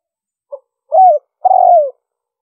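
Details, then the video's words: Spotted dove call used as a lure to draw wild doves: a faint short note, then a smooth cooing note curving down at its end, then a longer, slightly rough coo that slides lower, on a silent background. "Tiếng chim cu gáy mp3 liêu ròng kích bổi hiệu quả"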